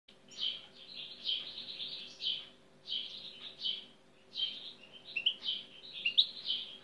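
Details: European goldfinch (Carduelis carduelis) singing, a fast run of bright twittering, tinkling high notes in bursts of one to two seconds with brief pauses, over a faint steady low hum.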